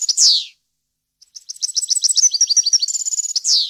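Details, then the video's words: European goldfinch song, clean and error-free, used to teach young goldfinches and goldfinch hybrids to sing: a loud, downslurred high note, a pause of about a second, then a fast tinkling run of twittering notes and a trill, ending on another loud slurred note. "غناء طائر الحسون ، صوت صافي وخالي من الاخطاء لتسميع الفراخ"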